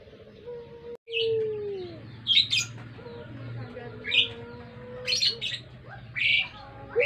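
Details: Barbary dove (puter), pelung style, used as a lure: a long low coo bending downward, later a fainter drawn-out coo, amid scattered sharp chirps of small birds and a low steady hum.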